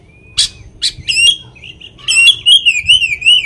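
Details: Oriental magpie-robin song played to provoke other magpie-robins: a thin whistle and sharp chips, then a loud, rapidly wavering whistled trill that carries to the end.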